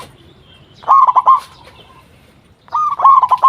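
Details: Local zebra dove singing strongly, recorded to lure other zebra doves into answering: two loud bursts of fast, stuttering coos, each about half a second long, with a longer quiet gap between them.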